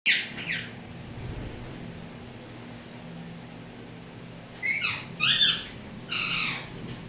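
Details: Pet Indian ringneck parrots of turquoise blue and turquoise blue harlequin colour, kept tame indoors: several short, harsh, high screeching calls, one near the start and a cluster after a long quiet stretch.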